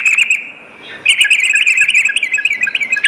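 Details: Sooty-headed bulbul singing at night, used as training audio for fighter birds: a steady thin whistle, a short pause, then a dense run of rapid chirpy bubbling notes with a faint low hum beneath.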